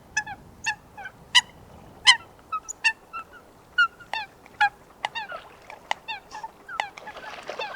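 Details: Coot recorded in wetland habitat producing sharp, clipped nasal calls spaced irregularly, fading into a softer, noisier patch at the end.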